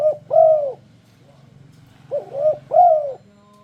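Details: Turtledove luring song to induce other turtledoves to join in: a short coo and a long smooth arched coo, repeated after about two seconds as three rolling notes, over a faint low hum.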